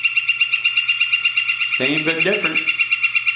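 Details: Northern Flicker call replayed after a pileated woodpecker for comparison: a fast, regular string of bright, ringing notes repeated several times a second throughout, with a man's voice briefly speaking over the middle.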